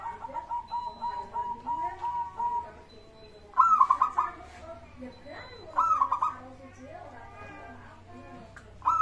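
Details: Local zebra dove used to prompt other birds to sing; soft, murmuring notes give way to three clear phrases of short, rolling coos, about two seconds apart, over a low background hum.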